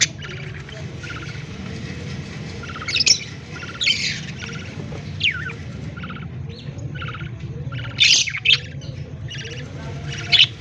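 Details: Budgerigar chicks fed by the male, October 18, 2023: soft, continuous raspy chattering with occasional louder hoarse squawks and brief downslurred squeaks, set against a steady low hum.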